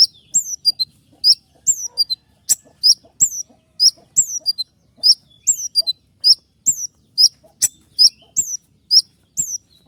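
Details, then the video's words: Wild sunbird, known locally as kolibri ninja, recorded as a lure for songbirds: sharp, high, downslurred chirps in quick doublets and triplets, repeated steadily with short pauses between bursts, over a quiet background with faint low clicks. "suara asli kolibri ninja liar untuk suara pikat semua jenis burung kicau"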